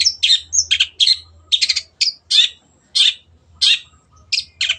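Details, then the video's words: Long-tailed shrike (Lanius schach) singing energetically: a rapid run of harsh, scratchy chatters mixed with brief high whistles, about one burst every second and a half, over a faint low hum. "MASTERAN BURUNG CENDET GACOR"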